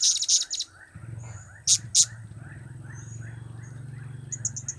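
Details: Shrill high chirps from a blue-crowned hanging parrot, whose calls are named cap, kiak and crap, come in short bursts over a steady low droning hum, with a faint quick series at the end.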